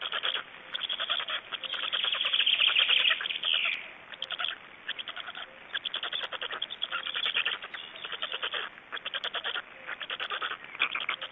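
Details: Black storks at an Estonian nest during feeding and a parent change-over, 26 May 2012: a loud wheezy whine gives way to stuttering harsh pulses, about three to four a second.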